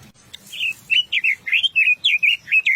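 Paddyfield pipit giving a quick series of thin, high chirping notes, about four per second, each a short rising-and-falling slur, with faint low rumble behind.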